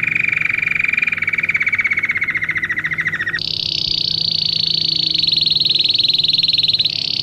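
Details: Training song of a Belgian canary for teaching other canaries: a fast buzzy rolling trill for three seconds, then a sudden jump to a higher, very rapid continuous trill sustained to the end.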